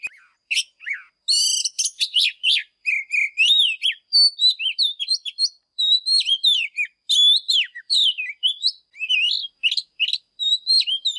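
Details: Oriental magpie-robin (chòe than), apparently kept for song training, sings a rich, varied stream of clear whistles, slurred notes and quick chattering phrases, pouring out almost without pause.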